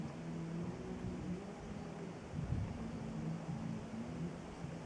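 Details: Low rumbling motor hum with soft wind in the background and no animal sounds.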